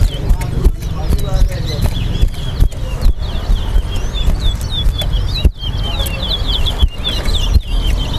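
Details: Towa towa singing in a caged bird competition at the Sheriff Street bird ground in Guyana. It gives a steady stream of high, quick whistled chirps and trills beneath heavy crowd chatter and low rumbling background noise.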